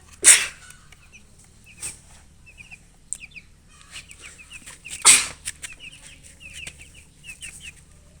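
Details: Thirsty colored poultry chicks chirping for drinking water: thin high peeps, each sliding downward, repeated in quick runs, broken by two sharp loud knocks or clatters.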